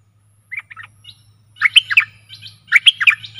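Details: Stripe-throated bulbul song used as a decoy for aggressive wild birds. A few short whistles, then two loud, bubbly chattering bursts about a second apart, over a steady low hum.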